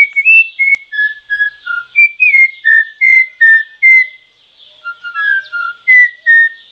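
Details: Troupial giving a steady series of short mellow whistled notes, mostly in two-note phrases that step up and down in pitch, with a brief pause midway.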